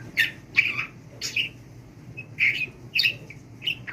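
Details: Talking budgie in speech training utters separate squawky syllables and wavering squeaks, spaced roughly half a second apart, with a faint hum in the room.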